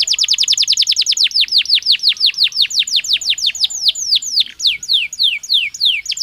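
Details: A Belgian canary sings naturally, with a long rolling trill of descending whistles that starts quick and tight and gradually slows and loosens into fuller, separate slurred notes.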